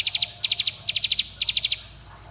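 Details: Mountain bar-winged prinia's companion-calling, rival-provoking song, used to make young birds sing: four tight groups of four or five sharp high ticking notes follow each other quickly, then fade into low hum.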